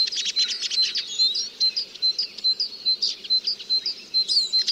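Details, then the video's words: Eurasian siskin song: a fast run of high, thin chirps and twitters, with a steady thin whistle-like tone running through, bursts repeating about once a second, with a faint low hum beneath. "The song of the Eurasian Siskin"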